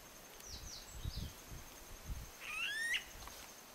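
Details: Smooth-billed Ani in the Galapagos, Ecuador, recorded in May 2012: a single slurred whining note rising sharply near the end, preceded by a few faint high down-slurred notes, over soft low rumbling background noise.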